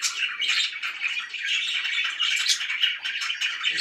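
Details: Pet budgerigars, described as very happy, fill the air with rapid, overlapping chirps and scratchy warbles in a steady, lively stream.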